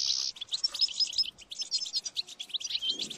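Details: Singing European goldfinch opens with a harsh buzzy note, then rattles off a run of bright tinkling twitters and chirps with hardly a pause.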